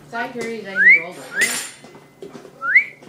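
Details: Pet male cockatiel, one year old, sings to a tissue: a low voiced murmur opens, then two upward-sweeping whistles and a burst of rustling noise, followed by another rising whistle.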